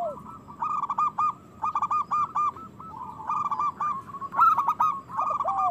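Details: Zebra dove, local strain, singing to spur other doves to sing and breed: clusters of short evenly spaced coo notes at a steady pitch, about five runs, ending with lower hooked notes.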